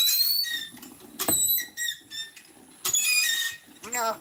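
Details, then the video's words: Common myna mimicking human speech in the Bodo language: a run of clear, harmonic whistled and squeaky phrases in several short bursts, some notes sliding up or down, with quiet pauses between. "Maina Bird - The First Human to Talk in Bodo Language!"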